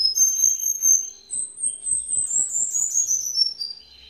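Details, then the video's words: Cuban bullfinch from Villa Clara, Cuba, singing a "redoblao" song of very high, thin drawn-out whistles that swell and slide downward, over faint low tapping sounds. "Negrito el Mejor redoblao"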